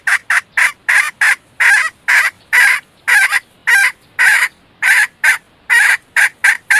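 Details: Red junglefowl hen kept as a lure for males, giving a long, uneven series of harsh, clipped notes, some doubled, repeated roughly twice a second with no other sounds.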